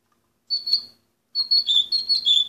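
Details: Orpheus breed canary singing short high whistled phrases, a single note, a pause, then a warbling run of level and slightly wavering notes.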